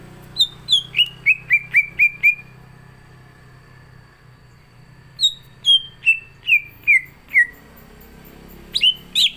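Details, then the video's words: Orange-spotted bulbul (cucak ijo) in full contest-ready song: a rapid series of eight whistled notes stepping downward, a pause, then six more descending whistles and a final sharp rising flourish. "CUCAK IJO GACOR ISIAN"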